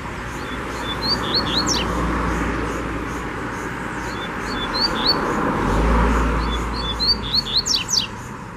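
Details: Territorial wild double-collared seedeater in the bush: high whistled phrases of rising and falling notes, repeated with pauses, ending in a rapid series of sharp descending strokes, over a constant low background rumble.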